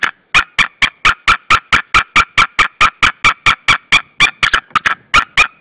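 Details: Female white-tailed eagle at her nest in Saunja, Estonia, calling for her mate, who does not come, 26 March 2013 at 16:45; a fast, harsh, yelping chatter of about twenty-two sharp notes, evenly spaced, held for over five seconds.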